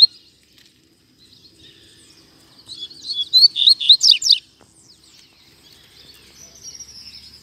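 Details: Rusty-collared seedeater singing loose in a Brazilian town square: one strong two-second burst of fast, high, sharply slurred notes, followed by faint thin twittering.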